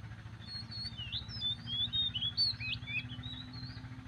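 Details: Magpie robin singing in the morning: a string of short, varied whistled notes, some rising and some slurred downward, delivered in quick irregular bursts over a steady low traffic-like hum.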